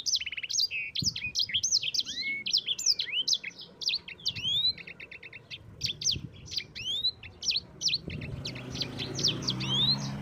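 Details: Yellow-fronted canary in continuous ngerol song, a training recording for other birds: a long rolling stream of high upswept whistles, sharp chirps and buzzy trills, barely pausing, with low noise rising near the end.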